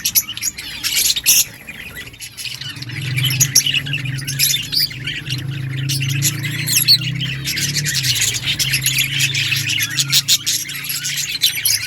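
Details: Budgerigars in an outdoor breeding colony chirping together, a dense chatter of high warbling chirps and squawks, with a low steady hum underneath.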